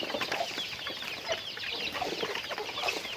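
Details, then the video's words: A group of chickens during their daily routine, producing a steady jumble of shrill chirps and brief clucks from several birds at once. "Natural Sounds of Chickens"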